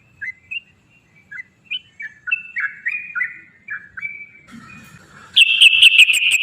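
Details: Yellow-vented bulbul song used as a lure to get other bulbuls singing: a series of short clear whistled notes, some rising or falling, in a loose phrase, then a loud fast run of sharp repeated notes at the end.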